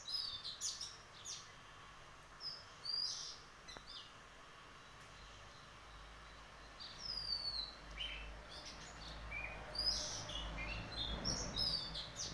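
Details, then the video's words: Morning birdsong in Dehradun: several birds give scattered high, thin chirps and short whistled slurs, some falling, in irregular bursts with quiet gaps, over a faint low background hum. "Morning View_Birds Chirping Sound"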